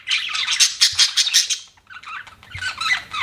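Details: Pet budgerigars chirping in a dense, rapid chatter of buzzy, warbling notes, a loud burst that fades into quieter scattered chirps before picking up again.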